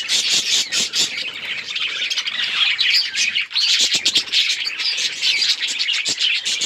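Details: Budgerigars in a colony keep up continuous high chirping and scratchy chatter, many birds overlapping, with clicks and brief pulses running through the whole stretch.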